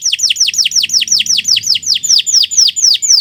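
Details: Domestic canary used as a training recording for other birds, singing a long, full-voiced song: a steady series of bright descending whistled notes, about two per second, with faint low hum beneath.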